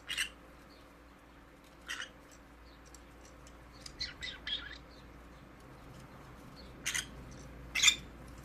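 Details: A conure parrot makes cute noises: scattered short, raspy high chirps and squawks at irregular intervals, with a quick run of several chirps midway and two louder harsh squawks near the end, over a faint hum.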